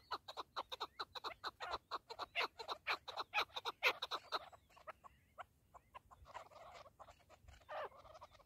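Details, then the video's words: Partridge (keklik) calling a regular series of sharp clucks, about two per second, which breaks off after four seconds into scattered softer notes and a final lower call. "KEKLİK / PARTRİDGE 1"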